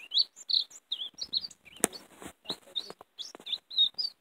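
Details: Greenfinch song from a bird used to attract and catch greenfinches, a chattering series of bright chirps and warbles interrupted by one sharp click partway through.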